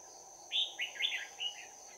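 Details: Red-whiskered bulbul decoy bird in a trap, bell-voiced, singing in close-combat fighting style on 11 January 2019. Four bright, rapid whistled notes in quick succession, rising and falling, against a continuous high insect whine.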